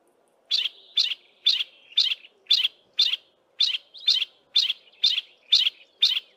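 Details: A single Yellow-breasted apalis in a thick wooded valley west of Grahamstown gives part of its duet call, a steady run of sharp, high, chipping notes about two a second; its mate does not respond.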